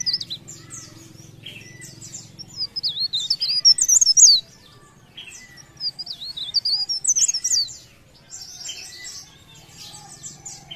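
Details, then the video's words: Leaf warbler singing vigorously: phrases of thin, high, zigzagging whistles and fast twitters, loudest around the middle, separated by short quiet gaps; a low hum fades out early. "Cikrak daun Gacor"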